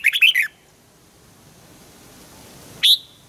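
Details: Red-whiskered bulbul morning training song, double-note wild style: a short tumbling phrase of four warbled notes, a long quiet pause, then one loud sharp whistled note.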